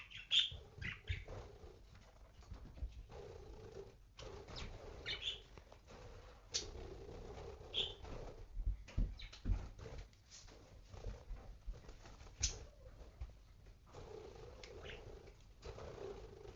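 Budgerigars give brief, high scratchy chirps now and then over a steady low hum and rustling.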